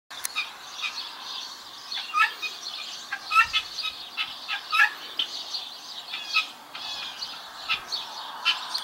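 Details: Helmeted guineafowl keets, chicks recently hatched to a guinea hen, peeping: a dense chorus of high, thin chirps repeated irregularly around 40 times a minute, with occasional louder squawks and soft fluttering.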